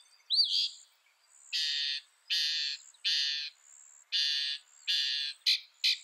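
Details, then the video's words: Mockingbird giving a run of harsh, grating, drawn-out calls repeated about every three-quarters of a second, after one brief whistled note, ending with two short sharp notes. "Mocking Bird sound"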